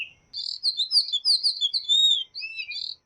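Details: Tanager, a colourful Latin American bird: a continuous, sweet warbled phrase of fast whistled notes wavering up and down at a high pitch for about three seconds.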